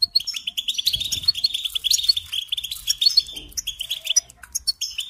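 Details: Goldfinch singing a fast, liquid twitter of crowded chirps and trills that runs on steadily, with a few higher sharp notes and a faint low rumble in the background.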